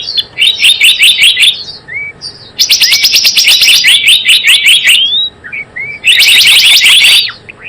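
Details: Lure call of the Java sparrow, used for trapping: three bursts of fast, sharp, high-pitched chips, separated by brief pauses holding single rising whistled notes.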